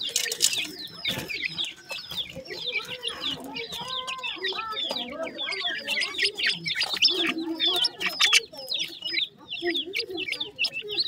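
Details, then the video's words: Francolin (teetar) chicks keep up a long, restless twitter of bright, high cheeps, some notes falling in pitch, with occasional lower harmonic squeaks mixed in. "topten teetar bird chicks,top dakhni teetar chicks awaz"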